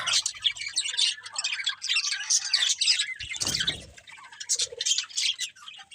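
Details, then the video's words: Several birds chirp together in the morning, busy high twittering that thins out after a low rumbling thud midway, then scattered sharp tweets. "Birds Chirping Sounds In The Morning"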